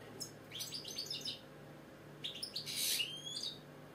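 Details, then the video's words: A captive European (British) goldfinch sings indoors in two quick bursts of bright, tinkling twitters and buzzy trills, high-pitched and rapid, over a faint low indoor hum. "British Goldfinch singing, Chardonneret , Cardellino, Jilguero, bird song"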